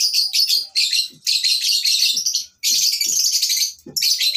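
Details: Flock of lovebirds on a breeding farm, meant for tutoring silent lovebirds: harsh, scratchy high chatter in sustained bursts, broken by a near-silent pause midway.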